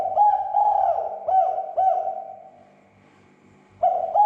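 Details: Provocation call of a spotted dove, used to rouse other doves to call: a hollow, rolling coo phrase of four linked notes, a pause of over a second, then a new phrase begins.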